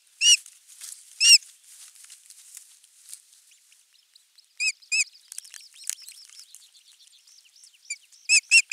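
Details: Osprey at nest 3, Finland, 23 June 2020 morning, crucian carp as the morning fish; scattered single and paired sharp whistled notes over soft faint chattering, ending with three quick whistles.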